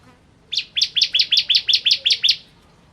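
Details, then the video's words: Ciblek kristal, the bar-winged prinia, giving a quick run of ten bright, sharp, high notes in under two seconds, evenly spaced and strong. "Ciblek Kristal Gacor"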